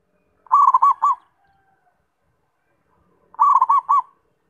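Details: Two phrases of zebra dove song nearly three seconds apart, each a quick stuttering roll into three looped, cooing notes; silence between.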